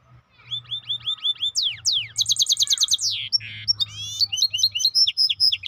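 A varied, rapid songbird medley: repeated whistled slurs, then bright buzzy trills and high chirps, delivered almost without pause over a faint low hum.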